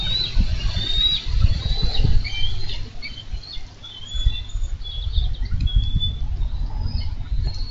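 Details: In Minnesota on 4 July 2013, one wild bald eagle wrestles a carp from its mate's talons at the nest. Scattered high piping whistles and short chirps are heard, mostly in the first half, over steady low rumbling.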